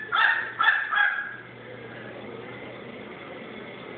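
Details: A pet crow that learned to bark from a chihuahua gives three quick, harsh, dog-like barks in its first second, followed by quiet room hiss.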